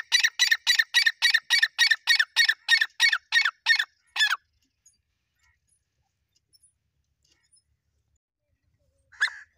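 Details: Irani teetar partridge in a fight, giving a rapid series of loud, harsh notes, nearly four per second, stopping after about four seconds; long silence follows, then one more sharp note near the end.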